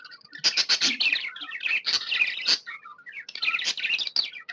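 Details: Budgerigar kept as a pet, chirping happily: a steady stream of rapid scratchy chatter, clicks and squeaky notes, with brief whistled figures between bursts.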